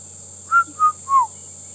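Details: On a morning safari drive at Djuma and Arathusa, South Africa, on 14 December 2014, a Red-chested Cuckoo gives three clear whistled notes, each slightly lower, over a high insect hiss and a low engine rumble.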